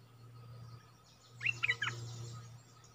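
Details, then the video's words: A brief phrase of three or four quick chirpy, slurred notes from a streak-eared bulbul, set against a steady low hum and faint high insect noise. "เสียงนกดอกแตงEp.104 Birds sounds"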